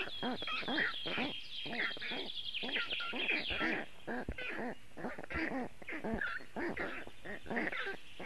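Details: Young black storks calling from their nest in Latvia on a very hot June afternoon, 2018, asking for cooling; a continuous run of nasal, quacking, harmonic calls in quick succession, several voices overlapping, over a faint high whistle.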